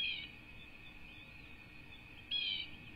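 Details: Two bald eagle chicks at a Southwest Florida ranch nest, USA, 5-2-24: one clipped high chirp at the start and another thin, wavering squeal later, against a steady electronic whine and low background rumble.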